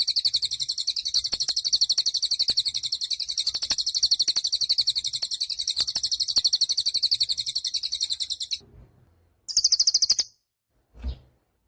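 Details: Actively singing cililin bird, recorded as a master song for training songbirds: a dense, high, buzzy trill of rapid pulses held for about eight seconds, then a short break and a brief second burst.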